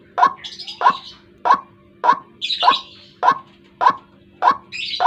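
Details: White-breasted waterhen morning lure call: nine harsh croaking notes at a regular pulse, interleaved with higher squeaky squawks between beats, over a steady low hum.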